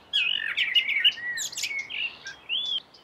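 A European goldfinch sings a quick, liquid twitter of tinkling notes and short buzzy trills, run together over a few seconds with brief pauses.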